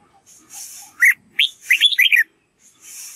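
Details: Red-whiskered bulbul practising its song so young white-cheeked birds learn it: a short burst of quick, bright, warbled notes, rising and falling, lasting about a second, between faint soft rustling.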